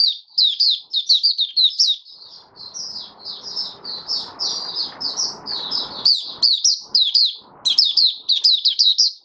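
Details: Kept oriental white-eye in full song five days after its monthly deworming, January 2022. It gives a long, nearly unbroken stream of thin, rapid, warbling chirps with a soft background hiss and a few low knocks.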